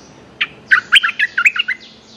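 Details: One loud Streak-eared bulbul phrase while calling a mate: an opening chirp, then a quick tumbling string of about eight bright, twisting notes in mid-high pitch.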